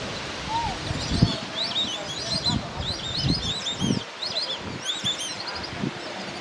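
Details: Flock of White-faced whistling ducks (Dendrocygna viduata), central Argentina, give high, clear, overlapping whistles in quick three-note 'si-ri-ri' runs, the call behind the name Sirirí pampa, over low rustling and thumps.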